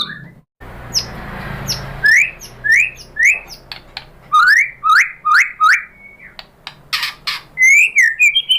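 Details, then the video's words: Lure song of a white-rumped shama intended to make a rival sing: after a quiet start, a series of loud upslurred whistles repeated about twice a second, with harsh noisy bursts and high chips near the end. "MURAI BATU jadi EMOSI NYAUT ikut BUNYI GACOR BONGKAR MATERI dengan PANCINGAN MURAI ini ¦ SHAMA BIRD"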